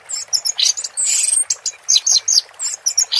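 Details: Orange-headed thrush teler song, here a run of high, thin, scratchy notes and brief sharp whistles delivered in quick succession over a faint hiss.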